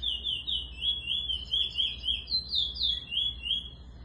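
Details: Eurasian bullfinch song used to teach a young bird; a steady run of pure, descending whistles, roughly four per second, with a brief higher phrase in the middle.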